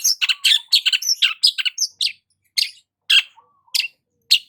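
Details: A long-tailed shrike basking in morning sun opens with a dense jumble of scratchy, high chattering notes, then slows to separate sharp chirps spaced by short pauses, with a faint low whistle between.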